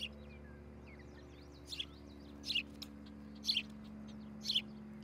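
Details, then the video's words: Osprey pair's nest in Charlo, Montana, on a nest camera, July 2018 morning. Four short, shrill calls spaced roughly a second apart, with faint twittering of other birds behind. "Osprey Nest - Charlo Montana Cam"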